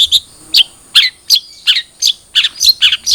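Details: Trotol long-tailed shrike, a lure recording to get a captive bird singing: loud, harsh, buzzy chirps delivered singly and in pairs at irregular intervals, rich and scratchy high in pitch.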